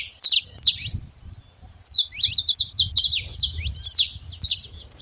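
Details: Free saffron finch in the wild: a few loud high chips, a short pause, then a dense rush of sharp, falling twitters over faint low background sound.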